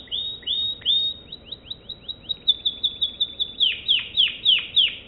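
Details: American Singer canary song: a few sweeping notes, a quick run of short chips, then loud downward-swooping whistled notes repeated at a steady pace.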